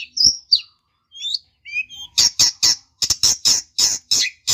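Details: High slurred whistles from a long-tailed shrike, then a string of harsh, grating chattering notes repeated steadily, sung to make a rival respond.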